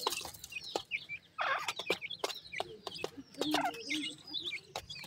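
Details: Grey francolin babies in Pakistan, hungry and calling: repeated thin, high cheeps from several chicks, a loud burst of overlapping notes near the start of the second second, punctuated by hard clicking taps throughout.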